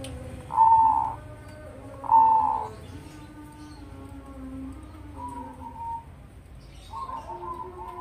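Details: Tame two-year-old hybrid zebra dove of the crossing type, a Bangkok × local cross with a heavy bass voice. Two strong drawn coos come a second and a half apart, followed by softer, lower notes and background hum.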